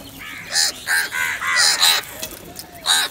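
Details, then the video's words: Several crows fighting over food, loud rasping caws overlapping in a near-continuous noisy burst, about six calls in three seconds. "Crow Fight Video | crow love food | crow fighting scenes video | crow sounds naturally"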